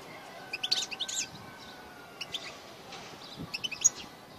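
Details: Male European goldfinch singing takreem song phrases with opening motifs in cool, low-temperature weather under heavy cloud with near-rain: bursts of thin, high twittering and tinkling notes around 0.5–1.3 s and 2.2–4 s, with faint steady background hum.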